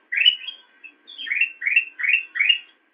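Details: Black-crested bulbul on a cage-bird training master recording, giving a steady series of five rising, slurred whistled phrases at a brisk pace, each swelling upward, in a quiet clean setting.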